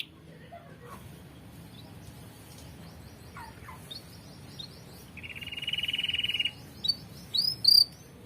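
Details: A canary singing actively, used as a tutor recording for birds at home: scattered faint chirps and short upslurred notes, then a sustained rapid rolling trill for over a second, followed by brief high whistled notes.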